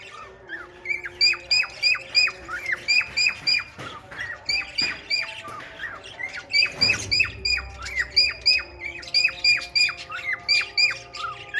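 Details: Male cockatiel courting a red-eyed female budgie, giving a long run of loud, clipped whistled notes that drop sharply in pitch, repeated about three times a second with brief pauses. A scrape and thump sound midway.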